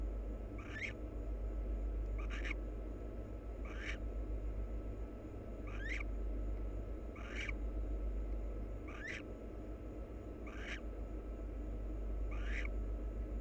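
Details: Wild barn owl pair engaged in mutual preening. Eight clipped, rasping chirrups with a rising twist repeat regularly every one and a half seconds or so above a low constant hum.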